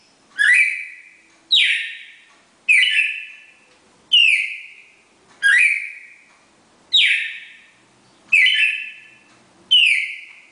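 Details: Red-crested cardinal pair performing the classic Bagé four-note song: eight bright, forceful whistles, each starting high and dropping into a sustained ringing tail, repeated at a steady pace of roughly one every 1.3 seconds, with no other sounds.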